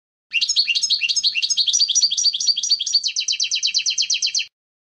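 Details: European goldfinch singing cleanly, a four-second run of rapid tinkling twitters that shifts into an even, fast series of repeated chirps near the end.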